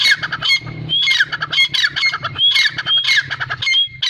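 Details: Grey francolin calling continuously: rapid, harsh chattering squawks mixed with sharp rising whistles, repeated in dense bursts, over a steady low hum in the background.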